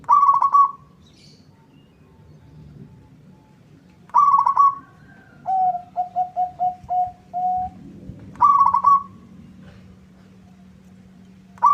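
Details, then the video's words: Zebra dove of local stock, singing hard to answer a rival: burbling trills recur about every four seconds, one followed by a run of short clipped coos and a longer closing note, with a faint steady hum. "Suara perkutut lokal gacor bikin nyaut lawan"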